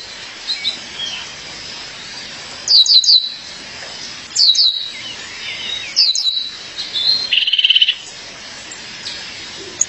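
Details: A female violaceous euphonia calls to her mate with repeated high twittering chirp bursts roughly every one and a half seconds, followed near the end by a short buzzy rattle at lower pitch, over steady hiss.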